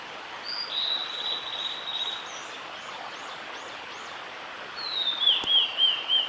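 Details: Singing male blue-and-white flycatcher, recorded 11 June 2016 at Oiso, Kanagawa Prefecture, Japan: a sweet whistled phrase opens, then a quiet gap, then a louder descending phrase of rippling, warbled notes at the end, with soft steady ambient hiss.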